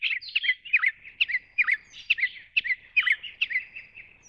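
Grey-chinned minivet giving a run of high, sweet chirps, two to three a second, with slurred twittering notes and a quiet background.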